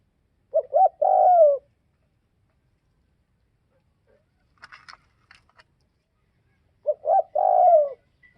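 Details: Spotted dove from northwestern Vietnam repeating its coo twice, about six seconds apart. Each phrase is two brief hoots and a long falling note, with faint clicks in between.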